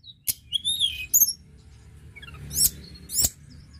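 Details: Tledekan gunung song used to stimulate other birds to sing: high slurred whistles and sharp chirps in short bursts, separated by pauses, over faint low background hum.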